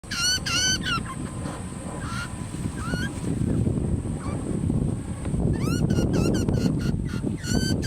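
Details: Young butcherbird chick being hand fed, giving loud, harmonic, upward-sweeping squeals in quick bursts, repeated many times with short pauses, over steady low rumbling background noise.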